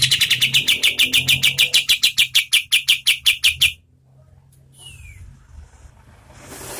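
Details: Oriental white-eye in a medium-speed song used to train competition birds: evenly spaced, high, clipped notes at about five per second for nearly four seconds, then quiet with a faint downslurred note.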